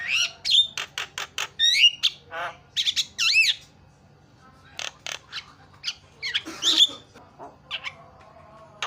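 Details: Lively Javan myna song meant to get other mynas singing: varied harsh chatters mixed with clear whistled notes, including a wavering rising-and-falling whistle, in uneven bursts with short pauses and a steady low hum beneath.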